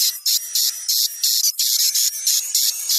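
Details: Swiftlet lure call meant to attract swiftlets to a bird house, a mix of about 20% chick and 80% adult calls: high, buzzy, hissing pulses repeated roughly three times per second in a steady rhythm, with a thin continuous whistle above.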